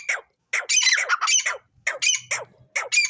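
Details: Grey francolin kept as a fighting bird, giving harsh, squawking calls in bursts of rapid, loud notes with short silent gaps between them.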